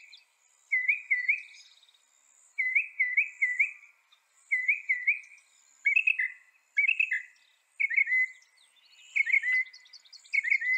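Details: Northern mockingbird song: a three-note phrase sung over and over in bursts about every two seconds, then a shift to a new, more complex phrase type that is also repeated. A faint steady high tone runs behind it.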